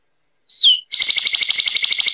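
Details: Zapata wren of Cuban lowland scrub singing: a single clear, high whistled note that slides downward, a short pause, then a long, fast, even trill of bright notes. No other sounds are heard.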